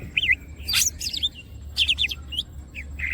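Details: Greater green leafbird singing with wings spread: looping whistled notes and bright, clipped chirps with sharp clicking bursts in short clusters, pauses between phrases, and a constant low background hum.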